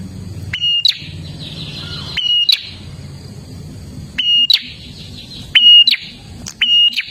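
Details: Olive-backed tailorbird singing loud, piercing whistled notes. Each note is held briefly and ends in a buzzy flick, with irregular gaps of one to two seconds. A faint high drone is in the background.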